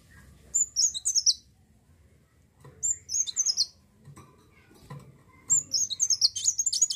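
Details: Olive-backed sunbird singing to lure other birds into singing: three short bursts of very high, rapid twittering phrases, each under a second and separated by about two seconds of quiet, with faint background rustle.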